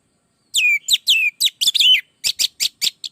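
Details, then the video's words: Orange-headed thrush (anis merah) song used as a lure for training other birds: quick sequence of loud, slurred whistles and sharp chattering syllables, ending in evenly spaced short, rough notes. "Suara burung Anis merah gacor masteran Anis pancingan suara burung Anis merah"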